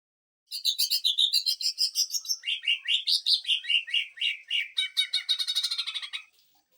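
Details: Greater green leafbird giving its rapid-fire 'sewing machine' song, used for tutoring and provoking other birds: a fast machine-gun stream of buzzy pulses, high at first, then dropping and rising in lower chattering notes for about six seconds.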